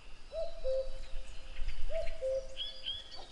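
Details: Two clear cu-coo phrases from a common cuckoo, each a short higher note falling to a longer flat one, about one and a half seconds apart. A high, thin whistled call from another bird follows at the end.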